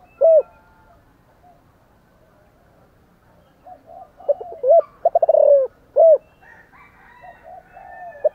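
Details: A spotted dove calls and coos strongly: one loud hoot at the start, a pause, then a cluster of low notes, a rolling coo and another firm hoot, with faint background sounds after.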